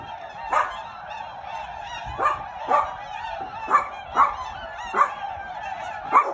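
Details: Flock of tundra swans coming in to land on Lake Mattamuskeet, Hyde County, North Carolina, in December 2019: soft mellow hooting calls rise over a steady murmur of many birds, with louder notes every half second to second.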